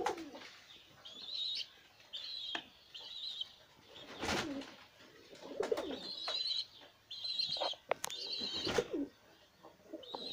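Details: Kara Güllü Filo pigeon with young; high thin squeaking calls in short bursts repeated over several seconds, with low murmuring coos, clicks and handling noises in a small room.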